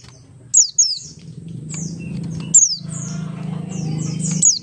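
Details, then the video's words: Buxtoni Oriental white-eye singing ngalas as a lure to set other white-eyes singing: scattered high, downward-sliding whistles over a noticeable steady low humming noise. "pleci Buxtoni ngalas 12345 pancingan pleci bahan agar cepat bunyi"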